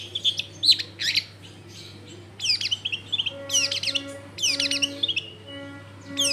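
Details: Long-tailed shrike singing actively, played as a lure to make other shrikes sing, from a busy home neighbourhood: scattered clusters of sharp high chirps and twittering phrases separated by short pauses, with a faint hum and background tones.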